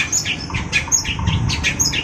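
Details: Long-tailed shrike singing vigorously, giving a quick run of sharp, high chirps and squeaky notes, each brief and slightly varied, over a low rumbling background.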